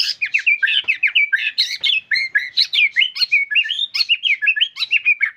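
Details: Full-length gacor song of a white-rumped shama: a rapid, unbroken stream of chirpy whistled notes, each about a fifth of a second, bouncing up and down in pitch against a quiet background.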